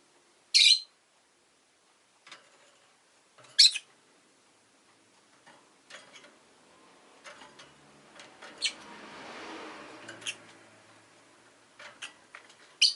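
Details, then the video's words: Pet rosy-faced lovebird (Agapornis roseicollis) giving two piercing, shrill chirps about three seconds apart, with scattered faint clicks and soft chirps between them in a quiet setting. "Lovebird Chirping Sounds"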